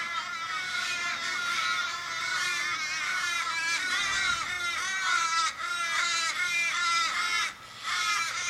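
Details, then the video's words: Over fifteen Australian ravens circle a dying raven, perhaps struck by a car, on a Sydney street in Kellyville, 1 July 2012. A steady, unbroken wall of overlapping moaning caws with falling pitch. A low passing rumble midway. "Australian ravens mourning member's death"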